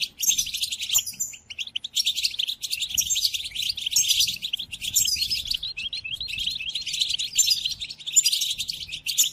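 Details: European goldfinch singing, a recording meant to teach captive goldfinches during moult: fast, tinkling twitters and rattling buzzes in repeated phrases with short dips between, light hum underneath.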